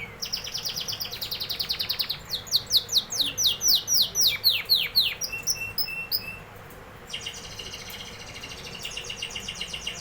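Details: Loud canary song: a fast ringing trill, then a series of strong downslurred whistles about four per second, a brief rattling phrase, and a thinner high buzzing trill.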